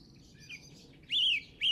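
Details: Brief whistled phrase from a bird at a golf course in England, Easter Saturday 2007, with a soft note and then a loud, level whistle.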